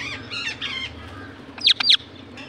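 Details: Indian ringneck parakeet: a few nasal, buzzy calls at first, then two sharp, piercing shrieks close together.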